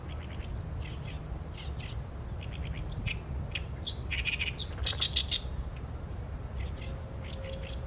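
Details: Oriental reed warbler (Korean 개개비) singing, recorded on a Sony A7M3 camera: harsh, chattering notes repeated rapidly, building to loud grating buzzy bursts near the middle, then fading to scattered notes over a steady low rumble.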